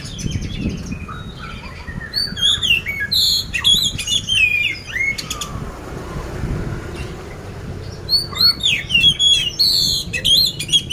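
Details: Competition-ready caged oriental magpie-robin in Magelang, Central Java, Indonesia, delivering bursts of fast varied twittering and sharp whistled notes, with brief pauses between phrases and a low rumbling background.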